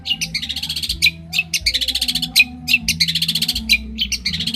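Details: Champion long-tailed shrike from Banyuwangi singing loudly for training other shrikes: short sharp upslurred notes alternate with bursts of fast scratchy chatter, phrases repeating about every second over a steady low hum.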